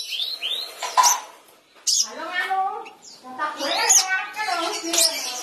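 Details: Sooty-headed bulbul in lively gacor singing, meant to rouse a silent bulbul: harmonic, arching warbled phrases and rising whistles, with sharp high chips between bursts and brief pauses.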